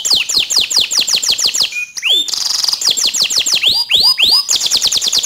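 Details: Canary song played to train canaries to sing better: quick descending chips, a swooping whistle, a buzzy rattle, then rising looped notes and a fast high trill.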